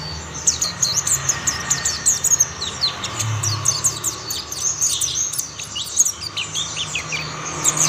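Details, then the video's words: Mountain white-eyes singing together, other birds joining; continuous fast high twittering of short slurred notes across all eight seconds, over a faint low hum. "Tidak butuh waktu lama pleci Monty lain pasti ikut bunyi"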